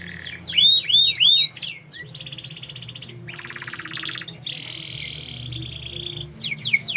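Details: Canary singing a varied song: a series of bright downward-curving whistled notes, then fast buzzy trills and a long steady rattling tour, ending in short high chips; faint low hum underneath.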